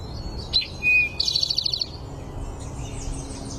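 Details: Red-headed lovebird in a forest, giving high, thin chirps and a quick rapid twittering run of notes, then fainter high twitters, over low background rumble.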